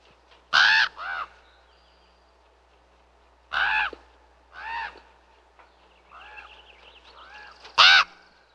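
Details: Common raven (Corvus corax) call: harsh, throaty croaks, several in quick pairs spaced a few seconds apart, with a softer gurgling run of notes near the end.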